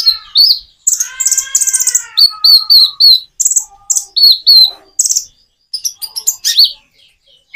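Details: Common iora singing with natural pauses: a fast chattering burst over lower harmonic whistles, then evenly spaced rising chirps repeated several times and scattered sharp notes.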